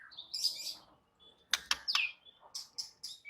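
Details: White-rumped shama song: short bursts of high, sharp chirps and a downward-sliding whistle, broken by brief pauses and a few clicking broadband notes, ending in a quick series of bright repeated chirps.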